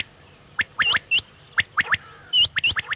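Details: Quail, known locally as bater, giving short, sharp chirped notes that rise and twist, in loose bursts of two or three with brief gaps, against a faint low hum.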